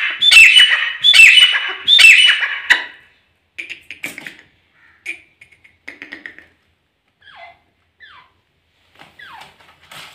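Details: Pair of desi grey francolins calling: three loud, harsh, rhythmic squawking phrases in quick succession, then fainter scattered notes and short downslurred calls.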